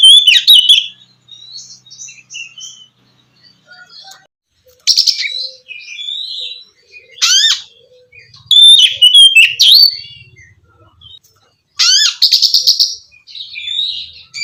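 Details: Oriental magpie-robin (kacer) song used to stimulate a bird that has stopped singing: loud varied phrases of clear whistles, rising sweeps and harsh buzzy bursts, separated by short pauses.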